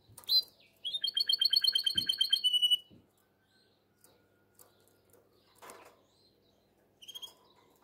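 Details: Canary in breeding condition singing to call the female: a rising slur, then a two-second fast trilled roll of repeated notes, followed by near silence with a few faint clicks and one brief final note.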